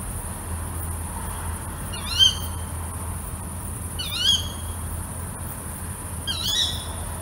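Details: At night, a female tawny owl repeats a shrill, harmonic shriek three times, roughly every two seconds, each short and slightly rising then falling, above steady hiss and low rumble.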